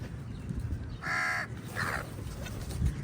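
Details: Crows fighting eagles for food; one loud, drawn-out harsh caw followed by a fainter, rougher second call, with low rumbling background.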